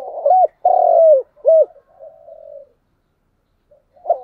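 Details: Morning lure call of a spotted dove used to attract wild doves: one phrase of low, hollow coos with a drawn-out middle note and a softer trailing coo, followed by silence and a faint final note.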